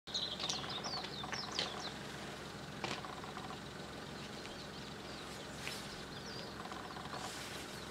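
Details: A distant blue-and-white flycatcher (Cyanoptila cyanomelana) in Tokushima Prefecture, Japan, sings a quick burst of high, sweeping whistled notes, then a few scattered later notes over steady background rumble; a Japanese white-eye's voice is also included.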